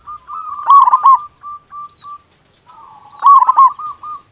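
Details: Local zebra dove song used to rouse lazy doves: two bursts of dense stuttering coos about two and a half seconds apart, separated by soft short single notes.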